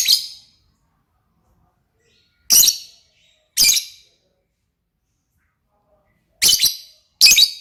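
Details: Lovebird uttering isolated shrill, buzzy chirps, five bursts spaced irregularly by one to three seconds of silence.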